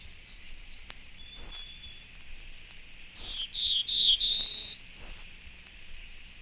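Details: Black-throated Blue Warbler song, one of eight examples: a short phrase of three buzzy, drawled notes, the final one longest and pitched slightly higher, rising at the end, over faint steady background hiss.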